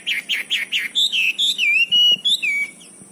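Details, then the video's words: Wambi bird singing, recorded in Cililin: four quick rising chirps, then a string of clear, high whistled notes that glide up and down, each held briefly, with faint clicks in the background. "kicau burung wambi cililin lakbet"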